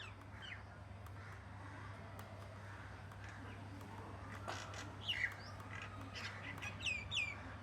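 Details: Morning birds calling: short, sharp downslurred chirps and squawky notes, scattered at first and then clustering in quick bursts near the end, over a steady low hum and a faint background hiss.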